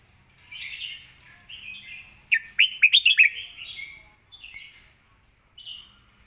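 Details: Red-whiskered bulbul singing a clear, quick, well-phrased song: soft warbled phrases lead into a loud run of five sharp, bouncing whistles mid-clip, followed by quieter gliding notes and a short final phrase.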